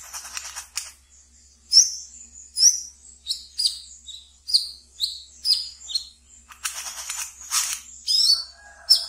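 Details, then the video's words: Caged wiceh, or brown-throated sunbird, in ngeriwik twittering used as therapy lure for new birds: bright high chirps repeated roughly every second, with noisy hissing bursts at start and later. "Wiceh Ngeriwik Yang Asyik Untuk Di Pelihara dan bisa untuk Pancingan Terapi Bahan kolibri kelapa"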